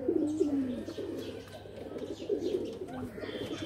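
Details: Murmuring coos from a group of loft pigeons, one phrase gliding downward, others bubbling around it, over a low steady hum.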